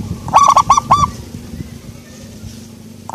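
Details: Soft-voiced local zebra dove giving one short phrase of four mellow, arched cooing notes in the first second, followed by quiet background rumble.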